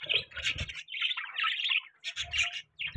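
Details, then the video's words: Pet budgerigars in the morning, producing three quick bursts of bright, buzzy warbling chirps separated by short pauses, with faint low rumbles. "Morning Time Budgie Bird Ka Shoor Shrabaa , Budgie Chirping Sound, Budgie Noise"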